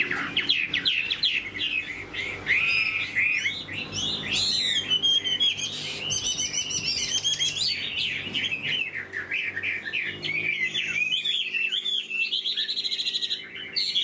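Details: Chinese hwamei, a tame caged bird, delivering long continuous song: varied loud whistles, slurred up-and-down phrases and rapid trills, with short bursts of higher chattering notes and a faint low hum.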